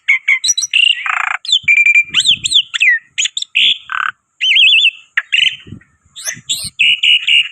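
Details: Black-winged myna singing loudly as a lure bird, mixing clear whistles, harsh buzzy squawks, a wavering warbled note and quick high chips, with occasional low thuds.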